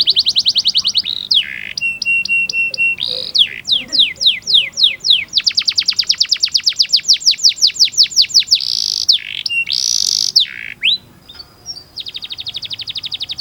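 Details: Varied canary master song for young birds: quick high trills, a buzzy pulsed roll, widely spaced sweeping whistles, a long run of descending notes and sustained rolling tones, loud throughout.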